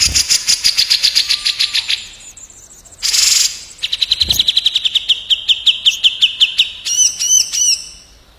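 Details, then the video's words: Grey-cheeked bulbul (cucak jenggot) and olive-winged bulbul (kapas tembak) shoot song back and forth at speed: rapid rattling series of sharp notes, a harsh noisy burst, another long quick run, then curling warbled whistles. "SUARA SALING TEMBAK CUCAK JENGGOT VS KAPAS TEMBAK BESET ROLL SPEED EDAN"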